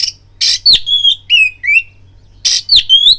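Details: Oriental magpie-robin fighting lure: harsh raspy bursts alternating with clear, high drawn-out whistles and downslurred notes, in two close phrases.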